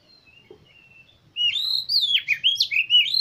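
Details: Oriental magpie-robin song used to stimulate other birds: a faint whistle, then a sudden loud run of varied, slurred whistled notes with sharp dips and rises, continuing to the end.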